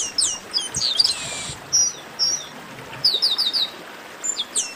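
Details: Chestnut-capped blackbird producing quick high downward-swept whistles, a buzzy burst, and a tight series of four or five bright slurred notes, with faint background hiss.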